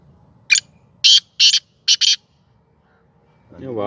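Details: Captive Sindhi black francolin giving its first call, tame and playful: a loud harsh grating phrase of five rasping bursts, one then two pairs, over about two seconds, followed by a rising low rumble.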